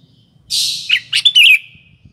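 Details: Sooty-headed bulbul lure song: a brief burst of hissy noise followed by a few quick liquid whistled notes, over a faint low rumble.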